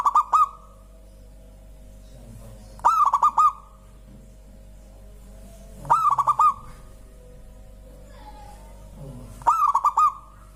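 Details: Local zebra dove, its beautiful voice drawing other birds into song: four phrases of rapid, rolling coos roughly three seconds apart, each with a sharp start, and faint low murmurs between.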